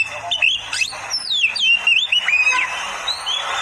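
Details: Oriental magpie-robin song from a master training recording for beginners, with sweeping whistled slurs that rise and fall, mixed with rapid warbled notes throughout.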